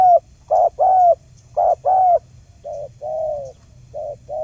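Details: Trapping lure of a spotted dove for coaxing quiet birds into calling: loud clipped coos in quick pairs, then softer, longer falling coos with short pauses.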